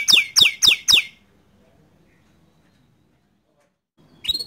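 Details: Canary of the bottle-green colour form, sung as a model for young and untrained birds: four quick, bright, downward-sweeping whistled notes in a row, then silence and one brief chirp at the end.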